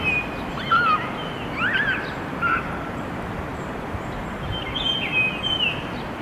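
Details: Japanese grosbeak giving clear, beautiful fluted whistles, a "kii-koo-kii" in short sliding phrases rising and falling, over a steady hiss of background noise.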